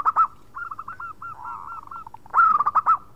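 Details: Local zebra dove singing khong crewet to call companions: a few sharp coos, a string of softer hooked trill notes, then a loud burst of fast repeated cooing notes.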